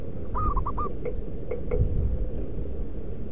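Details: Local zebra dove from the wild, a call used to attract wild doves: one brisk four-note cooing phrase, followed by a few faint clicks, over a low, noisy background hum.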